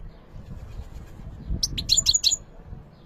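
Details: European goldfinch giving a short burst of about six bright, high chirping notes midway through, with soft low rumble otherwise.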